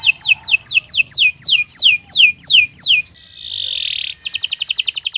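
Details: Canary training song: about a dozen clear descending whistled notes in steady rhythm, then a hissing sustained tone, followed by a quick chattering trill.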